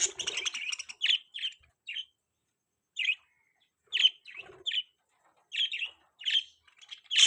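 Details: Budgies giving separate clear chirps, short and bright, spaced irregularly about a second apart after an opening burst of scratchy chatter.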